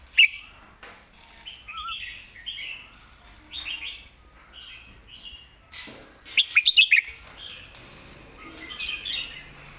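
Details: Red-whiskered bulbul singing the southern master song: a series of whistled and warbled phrases, a loud cluster of rapid clicking notes near the end, then a fuller closing warble.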